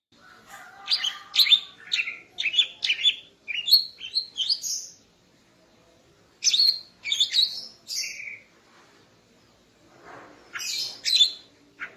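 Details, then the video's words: A female greater green leafbird sings in the morning to arouse the male, delivering fast varied chirps and sweeping whistles in two bursts separated by a pause of about a second and a half. "Kicau Burung Cucak Ijo Betina Pagi Hari untuk Naikkan Birahi Cucak Ijo Jantan"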